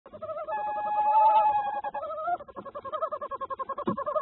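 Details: Male tawny owl delivering prey to his brooding mate at the nest: soft, mid-pitched trilling calls that waver and pulse rapidly, almost continuous with brief breaks and a faint knock near the end.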